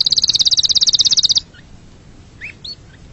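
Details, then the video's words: Canary delivering a brief, loud, very fast high trill of even repeated notes lasting just over a second, then a few faint scattered chirps over quiet background hiss. "Canary bird sound for montage / صوت الكناري للمونتاج"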